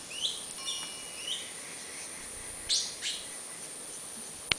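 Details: In Wulai, Taiwan, on 5 July 2009, a young Taiwan blue magpie learning to sing gives brief upslurred whistles, then harsher bursts and a sharp click near the end. Cicadas drone steadily behind it.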